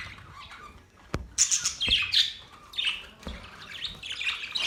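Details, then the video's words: Pet budgerigars chirping: a sharp click, then a run of bright, scratchy warbling chirps and squawky notes in quick irregular succession. "Beautiful Australian birds chirping sounds Beautiful Australian Budgies birds talking"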